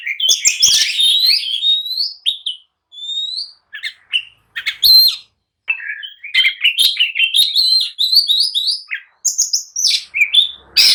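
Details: Provoking song of an agitated oriental magpie-robin, meant to make other birds answer and fight: dense whistled and buzzy phrases, brief gaps, then long rapid runs of rising and falling notes.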